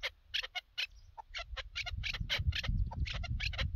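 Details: Chukar partridge associated with partridge hunting, uttering sharp rapid clucks, at first spaced and then denser, while a loud low rumbling noise rises in the second half.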